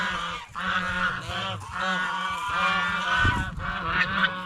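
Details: Flock of geese feeding on bread and fresh vegetables at a fish pond, giving loud harsh honks in quick overlapping bursts, with a low thud partway through.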